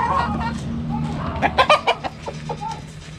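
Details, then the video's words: Backyard hens at a cabbage, giving loud drawn clucks, then a burst of five sharp rapid clucks followed by softer single clucks, with a low mechanical hum beneath. "Chicken Sounds Noises Hens Clucking Roosters Crowing!"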